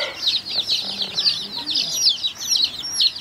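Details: Colored chicks kept with hens peep while feeding, a continuous stream of high, sharp, downslurred cheeps overlapping rapidly, with faint lower clucking underneath.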